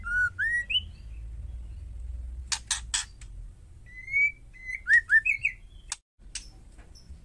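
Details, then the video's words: Female white-rumped shama calling to provoke males into answering, used to stir caged males: clear whistled notes near the middle register, some slurred upward, with broadband clicking bursts between phrases and faint low hum underneath. "panggilan murai betina hot jamin jantan bisu langsung nyaut..white rhumped shama"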